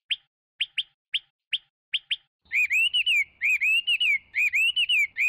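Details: Short sharp chips from a Chinese hwamei, six of them spaced out, then a burst of loud warbled whistles in quick rising-and-falling three-note phrases repeated three times; a low hum lies beneath.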